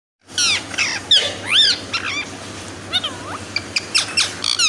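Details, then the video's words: A pet Indian ringneck (rose-ringed) parakeet, stretching its neck and looking around, gives loud, harsh rising-and-falling screeches and sharp whistled notes in quick irregular bursts, with a faint low hum behind. "Loud Indian Ringneck parrot screaming and whistling"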